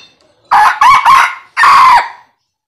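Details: Young red junglefowl giving a hoarse crow: three quick rough syllables followed by a longer drawn-out note that rises and falls before fading, with no other sounds.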